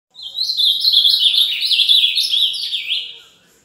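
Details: Ultramarine grosbeak, azulão mineiro, giving a fast song: a continuous warbled run of quick rising and falling whistled notes packed closely together, lasting about three seconds and then fading out.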